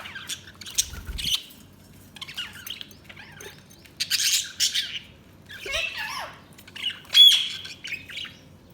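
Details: Budgerigars chirping in scattered bursts: short warbled chatter, squeaky notes and a few sharp high chirps, with quiet gaps between phrases and a faint low background hum.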